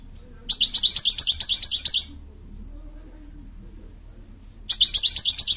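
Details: Female American Goldfinch calling: a fast run of about ten high, sweet chirps over a second and a half, a pause of quiet, then another quick chirping run begins.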